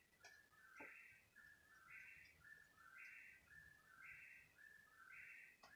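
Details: Unidentified bird calling at 3 in the morning during a thirty-minute stretch; whistled phrases rising to a higher burst then falling, repeated about once a second, with a couple of sharp clicks and low hum.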